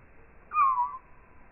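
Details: A house sparrow chirp recorded and slowed down 8x to match 240 fps slow-motion video becomes a low, drawn-out whistle sliding gently downward over half a second against a quiet hiss; house sparrow.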